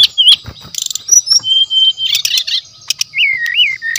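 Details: Brown-chested jungle flycatcher, a lively singer used as a lure: mixed chirps and rapid trills, a long level whistle, then warbled notes and wavering rising-falling whistles at the end.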